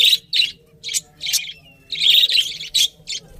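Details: Budgies chirping in a series of short bright high chirps in bursts, with brief pauses between groups of calls.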